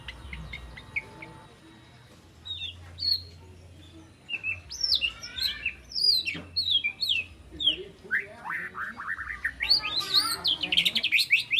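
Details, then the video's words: Spotted three-month-old white-rumped shama learning its song, with fill-in phrases and sharp 'shot' notes; after a quiet start with faint low hum, bright slurred whistles build into a dense, varied, high warbling run. "Murai Batu Trotol Jahat Usia 3 Bulan Belajar Bongkar Isian Besetan & Tembakan Tajam"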